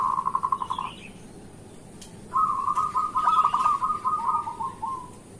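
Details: Morning lure song of local zebra doves: a short crisp series of pulsed notes, a pause with faint high chirps, then a long rolling run of cooing notes fading at the end.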